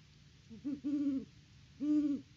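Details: Great horned owl hooting at the nest, Peabody, Kansas farm cam: a soft stuttered start into a long low hoot, then one more sustained hoot, with a steady background hum.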